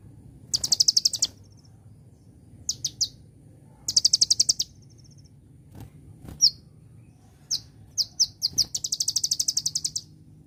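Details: Olive-backed Sunbird singing in celilin style: bursts of fast, high, buzzy trills, scattered single sharp chirps, and a long rattling trill to finish, over a faint low hum.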